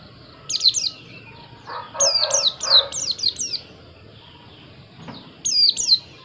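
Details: White-eye song: short bursts of high, thin, rapidly descending chirps, the first near the half-second mark, a longer run of five or six in the middle, and a final pair near the end, with soft low rumbling noise between.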